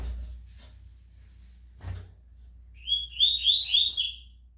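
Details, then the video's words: Rusty-collared seedeater, a tournament song bird kept ready for the competition season and described as fast and strong: after thumps and indoor room noise, a quick phrase of five or six slurred, high whistled notes, rising at the end. "COLEIRO KRIPTON SO NO AGUARDO DA VOLTA DOS TORNEIOS, PRONTO PRA TEMPORADA"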